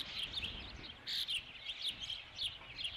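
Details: Insistent whistled cheeps from an Osprey at the Dunrovin Ranch nest on 3 July 2016, during the fifth fish delivery; loud, closely spaced notes in a rapid series with a brief louder burst midway, light background hiss.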